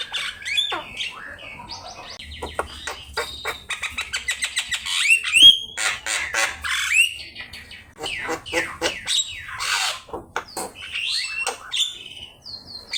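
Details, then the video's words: Javan myna master recording for teaching birds to sing: a long varied sequence of buzzy rapid ticking pulses, whistled slurs and scratchy chatter, rising and falling in intensity. "Suara jalak kebo gacor"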